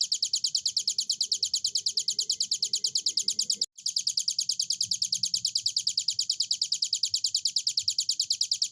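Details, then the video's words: Hill prinia in full, persistent song. Quick, piercing high notes pulse about three times a second, steady and regular, with one brief cut in the middle and a soft low murmur underneath. "burung ciblek gunung durasi panjang gacor"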